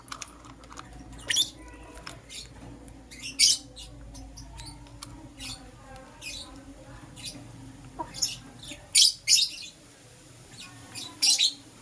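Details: Green personata and yellow pastel pied lovebirds calling in the morning with scattered high, harsh chirps, some doubled, against a quieter background of soft ticking sounds.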